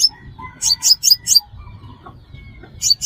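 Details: Sunbird, called the five-colour sunbird, whose call is used as a lure for trapping: short bursts of sharp, very high chips, four close together then a pause, with faint lower whistled notes in the background.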